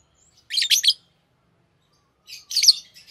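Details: Two short bursts of dense, buzzy twittering from a green Fischer's lovebird pair, the bursts about two seconds apart with quiet between.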